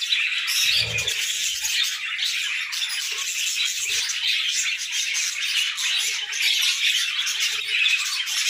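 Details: Budgies singing in the morning, several birds chattering at once in a thick, buzzy warble of rapid chirps and squeaks, with a couple of short low knocks early on and around four seconds.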